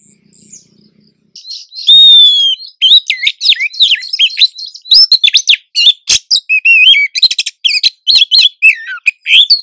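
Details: Wild female Oriental magpie-robin in breeding condition luring the male, with birds calling back and forth: a faint opening, a loud clear downslurred whistle, then a long busy stream of high chirps, trills and sharp notes.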